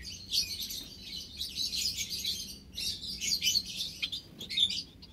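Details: Ten white Java sparrows in an aviary shared with white-headed, scaly-breasted and tricolored munias, not being bred, on 21 March 2021. They give dense, high chirps and short ticking notes in quick overlapping bursts with brief pauses, over a faint low hum.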